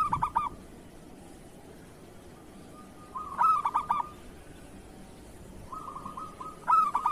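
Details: Local zebra dove of the kerot style, used as a master song to train other doves: three cooing phrases about three seconds apart, each a soft trilled murmur leading into a few loud, clipped accented notes.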